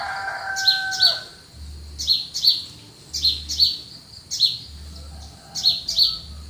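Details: Early morning countryside birds: a brief lower whistle opens, then high paired chirps repeat in steady bursts about once a second over a quiet low hum.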